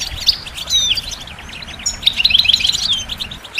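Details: European goldfinch song for listening and training: quick bright twitters and ringing notes, with a rapid cluster near the end, over noticeable low rumbling background noise.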